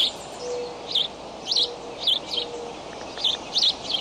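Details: Eaglets of the bald eagle at the Decorah nest camera, May 20 at 7:28 am, flap hopping; clear high chirps with quick up-down inflections repeat in irregular groups, a faint low hum beneath.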